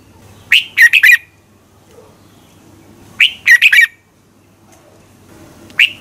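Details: Red-whiskered bulbul giving morning competition-style song used to train and fire up other birds: two bursts of short, bright, warbled chirps about three seconds apart, then a lone note. Quiet background.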